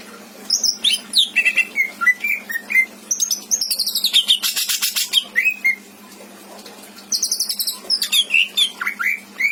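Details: Pet greater green leafbird from Indramayu singing energetically with rich mimicked fill-ins: quick slurred whistles, then a long loud rasping buzzy stretch with sweeping high notes, a pause, and more chattering, harsh phrases.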